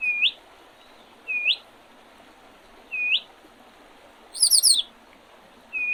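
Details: Birds in spring on the Oredezh River, Leningrad Oblast, Russia, 8 April 2023. Sharply rising whistled notes are repeated about every one and a half seconds, and one rapid, very high trill breaks in near the end.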